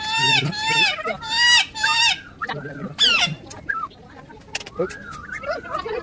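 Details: Talking parrot: repeated harsh, nasal vocalizations with rich overtones, the first three in quick succession, then a run of warbling, speech-like sounds and wavering whistled notes.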